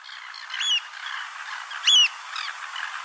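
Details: One of a pair of African oystercatchers on the beach at Port Alfred, Eastern Cape, South Africa, giving three loud, shrill, down-slurred piping calls over about three seconds, against a steady rushing wash of surf.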